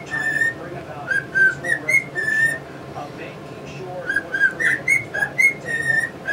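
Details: Male cockatiel whistling a tune in short phrases, with a quieter gap midway. Pet English budgies are chirping nearby.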